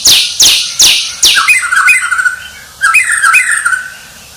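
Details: Champion white-rumped shama producing four loud, harsh descending sweeps, then mellow, fluty whistled phrases with looping slurs, a brief break, and another whistled run.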